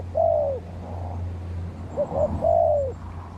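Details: Decoy spotted dove calling back to wild birds during trapping: a long soft descending coo, a pause, then two brief notes and another long slurred coo over a steady low hum.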